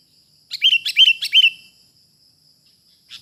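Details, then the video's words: Wild sooty-headed bulbul being trapped: a quick run of four bright, slurred chirps with a clipped ending, sitting over a faint steady high electronic hum, then a short soft chirp just before the end. "burung KUTILANG liar ini BRUTAL sekali"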